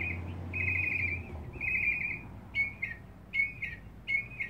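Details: Lone male mockingbird singing and dancing in a back yard, hoping to find a mate: long steady whistled notes, then short clipped whistles in quick pairs, all high and clear over a low background hum.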